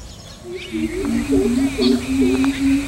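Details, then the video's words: A greater coucal gives a quick rolling run of deep, hollow coop-coop-coop hoots; large grey babblers give alarm calls at it and a rufous treepie also calls, as fainter higher calls. "CALL OF GREATER COUCAL"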